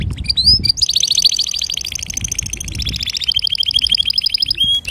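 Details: Male canary singing to teach young canaries. A few chirps lead into an unbroken, very fast trill of bright stacked notes that slowly drifts lower, closing on a short whistle.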